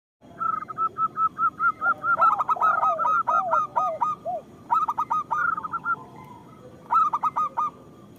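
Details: Local zebra doves singing, a recording meant to lure other zebra doves into song; bursts of rapid, clipped cooing notes in quick series, overlapping with lower, drawn-out curving coos, with several birds calling over a steady low background hum.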